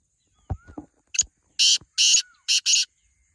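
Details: Several dull knocks and clicks come first, then a black francolin calls with four loud, harsh, scratchy notes, the final two paired closely together.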